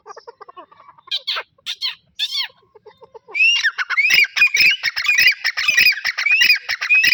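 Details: Grey francolins, a pair, give soft scattered notes at first, then burst into loud, harsh, rhythmic repeated calls with rising whistled strokes about every half second.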